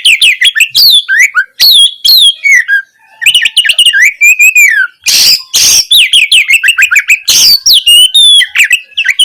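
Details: Oriental magpie-robin gacor singing, a training track to make a lazy kacer answer. Quick whistled phrases and downslurs, a sustained wavering whistle near four seconds, and scratchy broadband bursts after five seconds.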